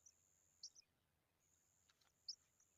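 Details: Baby pipit begging as it takes a worm: thin, very high, sustained hissing tones with a few sharper squeaks, faint against quiet background.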